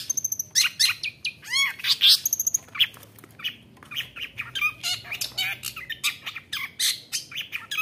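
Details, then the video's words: Long-tailed shrike singing intensely in a challenging, fight-provoking style meant to stir other shrikes into song: a dense, loud jumble of sharp chirps, harsh squawky notes and quick high whistled trills with frequent pitch sweeps. "CENDET GACOR ON FIRE NGAJAK GELUT⁉️ Bikin Cendet Lain Emosi ikut Gacor | Pancingan Cendet"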